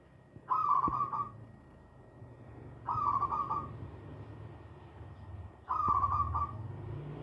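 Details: Single hand-reared young zebra dove giving three short rolling, quavering calls about every two and a half seconds against a low background hum.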